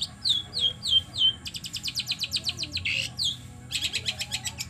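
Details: Long-tailed shrike singing in the trotol style, played to provoke a caged bird into singing. Four clear, downward-slurred whistles give way to a fast, harsh, buzzy trill of rapid pulses, with low background hum.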